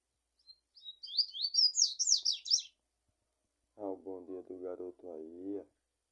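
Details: Rusty-collared seedeater, described as a 'pura fibra' bird, gives a quick high twittering song of rapid sweeping and rising notes for about two seconds, followed by a man speaking Portuguese.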